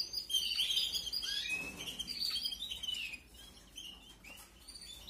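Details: High-pitched chirps and squeals from 2021 canary chicks being fed, loud and crowded for three seconds, then fading to sparse faint peeps.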